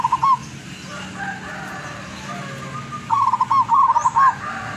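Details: Wild-caught zebra dove from Tuban, East Java, a frequent singer with a long melodious voice; a brief coo fragment, then a pause and two quick stammering cooing phrases in succession, with steady low background hum.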